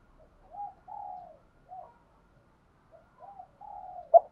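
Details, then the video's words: Faint, quieter cooing from a spotted dove decoy in training: soft low notes in two loose groups, ending in a sudden short louder note. "tiếng chiêm cu gáy luyện bổi mới"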